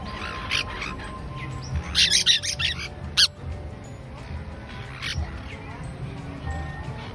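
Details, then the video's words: Yellow-chevroned parakeet giving shrill, scratchy screeches in short bursts, a few rapid notes at a time, over a faint low background hum. "Yellow Chevroned Parakeet"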